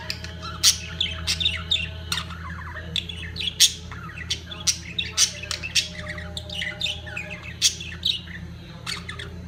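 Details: Budgerigars at the peak of their mating season give dense, sharp squawks and chirps, bursting roughly every half second with warbled twitters between, over a steady low electrical hum.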